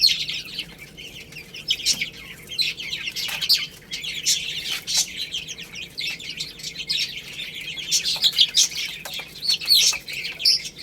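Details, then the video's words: Young chickens eating rice: a steady stream of thin, high peeping chirps from several chicks, mixed with sharp pecking taps and rustling throughout. "Beautiful Chicks Chirping Sounds | Cute Baby Hen Eating Rice"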